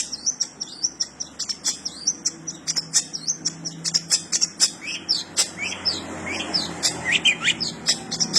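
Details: Cendet delivering a long, busy song of sparrow-style chirps: quick high notes and short slurred twitters tumbling about three times per second, steady throughout, over a faint hum.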